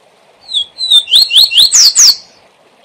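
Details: A double-collared seedeater sings the "SIL SIL ZEL ZEL" song type, a quick high phrase: thin whistles, then a run of rapid downslurred notes, ending in two loud sweeping slurs.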